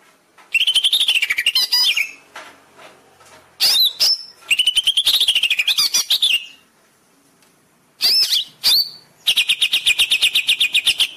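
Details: Greater green leafbird song used as a master recording to train caged birds: long rich warbling phrases, sharp whistled sweeps, and a closing run of rapid evenly repeated chips.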